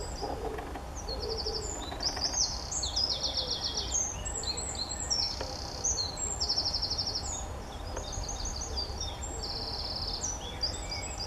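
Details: Eurasian blackcap singing in Woesten, Belgium, in April 2016: a rapid, continuous high warble of chattering notes and short trilled, buzzy phrases running through the whole clip, over a steady low background rumble.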